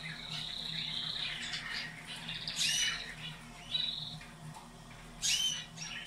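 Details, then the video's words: Caged canaries singing, a recording meant to be played twice daily to stimulate breeding; overlapping chirps and whistled notes around mid-high pitch, with brief bright bursts and a steady low hum behind. "شغل المقطع مرتين يوميا و شاهد الفرق في طيور الكناري"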